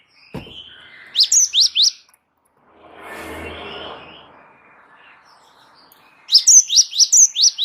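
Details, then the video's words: Java sparrow (gelatik wingko) in lively rolling song for tutoring and provoking other birds: four sharp, descending high chirps, a soft rushing noise, then a longer rapid string of about eight similar ringing notes. "gelatik wingko gacor ngeroll pancing bunyi suara masteran burung gelatik"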